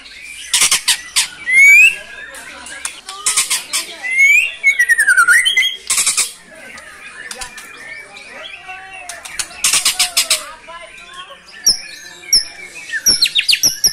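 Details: A captive white-rumped shama in vigorous song, showing off its repertoire of fill-in phrases. Loud rich whistles, swooping slurs and harsh bursts of high chatter alternate across the stretch, with brief quiet gaps between phrases.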